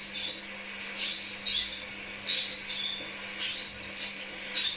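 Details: Crimson sunbird, lure song for kept birds: high, piercing chirps and quick slurred squeaks, repeated in steady bursts a little under once a second, over a faint low hum.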